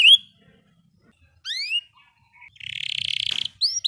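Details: Canary song, sparse and quieter: a brief sharp note, a short pause, a rising double whistle, then a steady buzzy high trill of about a second followed by two quick chirps.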